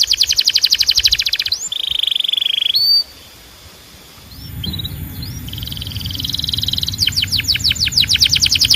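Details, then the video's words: Belgian canary song opening with a rapid rattling roll, then a long steady whistle and short gliding notes; after a brief quiet gap, a softer sustained trill gives way to a fast series of sweeping chips over a low background hum. "Your Belgian Canary Might Sing NON-STOP After This"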